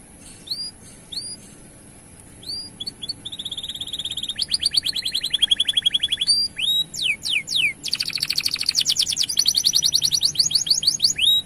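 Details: Canary in long, continuous 'gacor' singing, used to excite male canaries into song: sparse upslurred chirps build into a fast buzzy trill, then rapid descending sweeps and a dense rattling roll.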